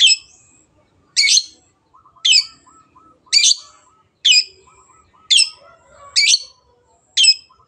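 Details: Long-tailed shrike gacor song for pushing quiet birds to sing: a harsh, buzzy burst repeated about once a second, with softer, lower twittering from another bird between the bursts.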